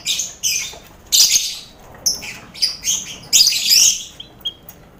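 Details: Caged colony of lovebirds kept together with finches and quail, used to train contest birds' nerve: rough, screechy high chatter in abrupt bursts roughly every second, some short clear chirps between, busy aviary atmosphere.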